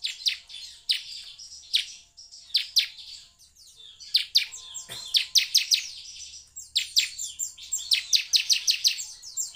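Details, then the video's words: Bar-winged prinia lure recording meant to provoke prinias into singing: bursts of sharp, high chirps and quick downslurred notes, clustered into lively runs every second or so. "pancingan ciblek semi agar bunyi"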